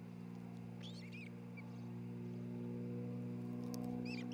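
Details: Nesting ospreys in Charlo, Montana, 27 June 2018, via nest camera: a few high whistled chirps early, a lone short note, then a final pair of arching chirps, all over a constant low hum.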